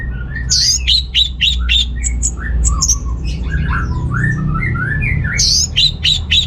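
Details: Orange-headed thrush (anis merah) in energetic full song, played to stimulate males lacking breeding drive; varied rich phrases mixing high sharp notes with lower slurred whistles, delivered rapidly and continuously over a steady low hum.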